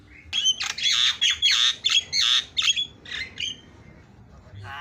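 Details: Javan myna pouring out rapid song: a tight series of loud, buzzy squawking notes with whistled overtones, about two or three per second, trailing off into quieter calls at the end.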